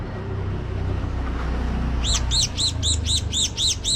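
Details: Java sparrow calling with a quick string of about eight clear, arched, high chip notes starting midway, repeated at a steady pace above steady low traffic-like noise.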